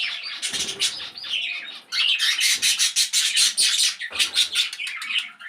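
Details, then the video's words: Budgerigars kept for breeding in an aviary setup alongside cockatiels, lovebirds and finches, giving loud, busy warbling with fast chirps and squeaky trills, a short pause, then sustained scratchy chatter. "buddgies birds setup"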